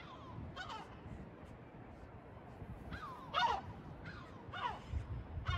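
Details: Gulls in Batumi giving harsh, slightly wavering calls with falling ends, about five spaced over several seconds, one louder than the rest, with constant low urban rumble beneath.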